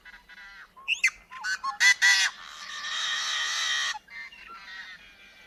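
Yellow-headed Blackbird song: a few clipped, squeaky opening notes, then a long, harsh, grating buzz lasting over a second that covers a wide range of pitch.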